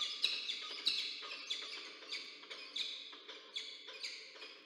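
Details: Peregrine falcon pair meeting at the nest in Orange, New South Wales, Australia, 6 April 2024: harsh scratchy chips repeated about every half second, each a broad noisy burst fading off.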